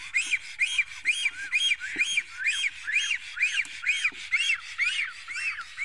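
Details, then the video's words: Estonian black stork at its nest, defending it on 15 April 2018 around noon, gives a steady run of wheezy arched whistles, roughly two per second, rasping and insistent, with faint low knocks underneath. "Must toonekurg~Nest defending"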